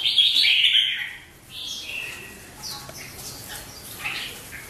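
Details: A red-whiskered bulbul in full competitive song gives a loud burst of bright, chattering notes, then softer fluty phrases, with faint background noise.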